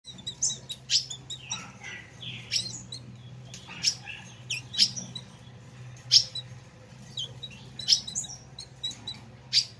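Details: Ultramarine grosbeak (azulão) giving the fiery 'chiado' style, used to warm up and stimulate captive birds: sharp, high, explosive chips about once a second, mixed with short slurred buzzy notes, over a steady low hum.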